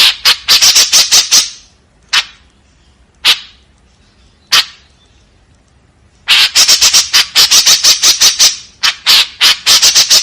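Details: Rasping 'tembakan kasar' volleys from a white-breasted woodswallow: a rapid opening burst, three isolated harsh notes spaced about a second apart, then long fast runs of scratchy notes.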